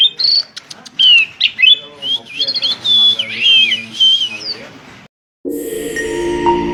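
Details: Varied whistled phrases from an Asian pied starling, wavering and looping notes in a continuous stream for five seconds, then a brief silence followed by a loud burst of unrelated tonal sound.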